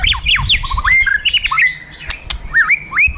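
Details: White-rumped shama, fighter type, in an emotion-provoking kretekan and tembakan lure: loud looping whistles swooping up and down, rapid clipped notes and brief rattles in quick succession, with low background rumble.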